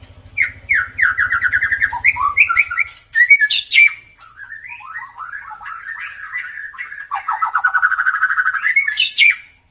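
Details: Gacor white-rumped shama with a klewer tail, its song used as a lure to make quiet birds sing: fast runs of repeated whistled notes, slurred rising and falling phrases and short harsh squeaks, with a low hum at first.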